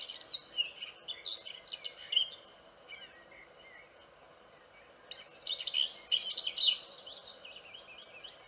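Vernal hanging parrot giving rapid, thin, high-pitched chirps in two busy bursts with a short pause between, over faint background hiss.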